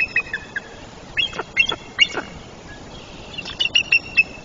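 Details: Adult female bald eagle calling from her nest in a tree at Trempealeau, Wisconsin, on 3 April 2024, the day her first chick hatched, calling for her absent mate; high thin piping chirps in short clustered series with brief pauses between bursts.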